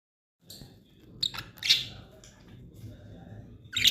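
Budgerigars give short, sharp, high chirps and squeaks in brief bursts over a low background hum.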